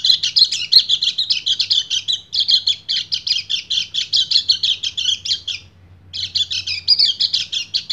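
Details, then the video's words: High, busy chattering song from a male white-eye calling a female in breeding condition, in the continuous ngecir style. A long rapid twittering run breaks for about half a second near the end, then resumes. "PLECI GACOR NGEBREN - KECIAL KUNING BIRAHI MEMANGGIL BETINA"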